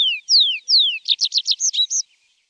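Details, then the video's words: Javan bush lark phrase used to train caged birds: three long high whistles sliding downward, followed by a quick burst of about eight rough, buzzy chirps, then silence. "Masteran Branjangan!!"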